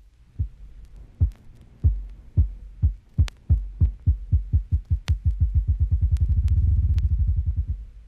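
Ruffed Grouse drumming: deep, muffled thumps that start about a second apart, then speed up into a fast, blurred roll over eight seconds. Faint clicks are also heard.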